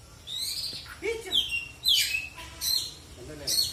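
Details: Oriental magpie-robin singing at a bird singing contest in Aceh Selatan, Indonesia: loud, scratchy whistled phrases and sharp downslurred notes in uneven bursts, over a background of crowd noise.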